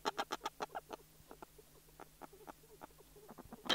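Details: Snow petrels, a pair calling inside their nest at close range: a fast run of harsh, broadband clucking notes that slows and softens into scattered grating calls, then a loud burst at the end, over a faint steady hum.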